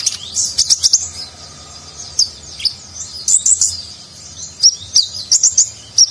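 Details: Konin sunbird delivering rich nagen-style song for contest-bird training: bright, very high chirps in short clusters, a twittering burst at the start and repeated sharp notes toward the end.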